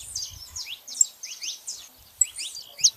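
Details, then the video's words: Saffron finch pair, female and male, giving quick, high, downslurred chirps in overlapping clusters, with a few piercing notes. "canários da terra fazendo barulho fêmea e macho"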